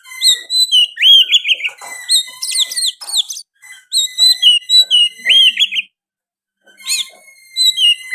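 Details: Oriental magpie-robin singing energetically, its song laced with sooty-headed bulbul phrases: loud whistled notes rising and falling, rapid slurred trills and sharp upswept chirps in dense bursts, with two short pauses near the end.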